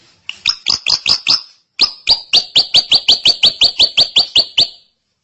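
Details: Drongo in long, continuous song: after a brief short series, about fifteen harsh, rising, clipped notes follow in quick, steady succession, each sharp and slightly buzzy, ending abruptly in silence.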